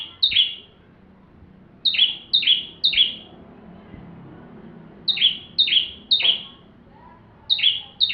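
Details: Bar-winged prinia in full, vigorous song used as tutor song for magpie-robins: crisp high chirps delivered in bursts of three, with pauses of about a second between bursts, against faint low background noise.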